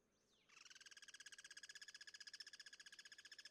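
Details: Wild Guira cuckoo, cross-singing as part of social behaviour: after a faint descending note, a steady rapid rattle of harsh, evenly pulsed notes runs for about three seconds at constant pitch.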